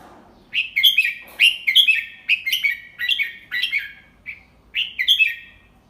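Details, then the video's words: Adult Red-whiskered bulbul demonstrating the 'double 3' song to young birds, slowly and clearly: a long sequence of chirpy, warbling whistled notes in short repeated groups, one soft note, then a final bright phrase. "เสียงนกกรงหัวจุก ใช้สินก็อปเสียงลูกนกได้"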